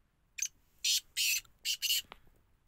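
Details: Close, loud Black francolin phrase: a brief scratchy opening note, then two long rasping bursts and a quick double, all harsh and noisy, ending with a soft click.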